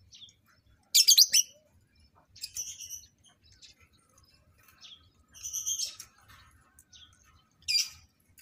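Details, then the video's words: Lovebirds set up for pairing and mating give separate short, shrill, harsh squawks with quiet gaps between them and a low background hum. "TERNAK LOVEBIRD -Cara Menjodohkan Lovebird"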